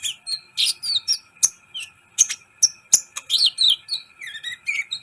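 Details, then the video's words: Sunbird song for training other birds and getting them excited: a lively, nearly continuous series of high chips, twitters and short warbled phrases, some notes sliding downward, with a faint background hum. "Masteran KOLIBRI ninja gacor , agar CEPAT EMOSI"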